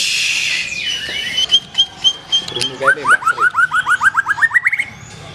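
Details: Black-tailed white-rumped shama with a strong song: after a hissy start and a long thin whistle, a rapid series of short rising whistled notes, about four per second, climbs gradually higher.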